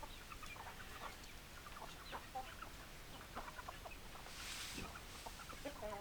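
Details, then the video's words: A flock of hens keeps up a murmur of brief clucks and chirps, many birds calling at once, with a hissing rustle in the middle and low rumbling underneath. "Chicken Sounds Noises Hens Clucking Roosters Crowing"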